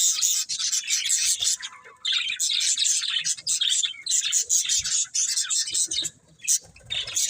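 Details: Steady busy twitter of budgerigars, rasping high chirps and warbles running almost without pause, with only a brief lull near the end.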